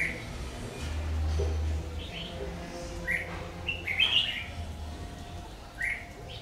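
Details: Red-whiskered bulbul, a 'má lỡ' bird with a very fierce voice, recorded while trapping with a decoy on 22 August 2019. Several short scratchy warbled phrases rise and fall across the recording, with a low rumbling hum behind.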